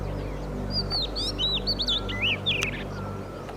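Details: Oriental magpie-robin perched and singing in summer in the oak and rhododendron forest of Madhmaheshwar Valley, Uttarakhand: a quick, varied run of clear whistled notes and short high trills about two seconds long, over a low hum.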